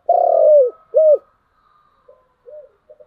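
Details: Spotted dove in the giọng đồng song style: a loud, long, throaty coo that falls at its end, then a short, rounded coo, followed by faint, soft cooing notes trailing off.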